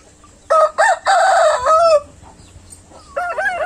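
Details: Rooster crowing: a loud, harmonic-rich cock-a-doodle-doo broken into several stuttering syllables over about one and a half seconds, ending in a drawn-out falling note. A second crow starts after a short quiet gap.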